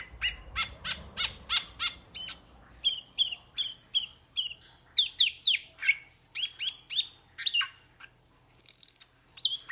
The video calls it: Metallic Starling Aplonis Sounds ! Metallic Starling Aplonis Song Metallic Starling Aplonis Call !